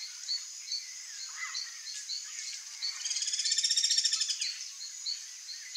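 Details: Wild ringed kingfisher, known locally as ariramba-grande, delivers a brief, swelling, machine-gun-like rattle amid scattered chirps of other birds and a steady high insect buzz.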